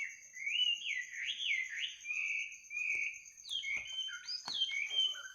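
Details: Midnight bird song: a smooth, looping warble rising and falling, then sharper broken notes, with a few click-like sounds and a thin steady high tone in the background.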